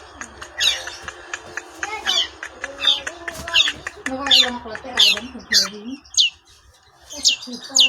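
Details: Long-tailed shrike singing in the klawean style, a mix of chatter and harsh squawky bursts spaced about every half second, tailing off into scattered sharp notes with pauses near the end.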